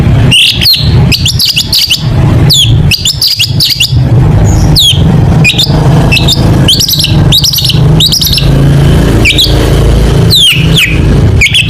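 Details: Long-tailed shrike pouring out a steady stream of sharp, high chipping notes and short downslurred whistles in dense clusters, used as training song for competition birds, over a constant loud low rumble like traffic.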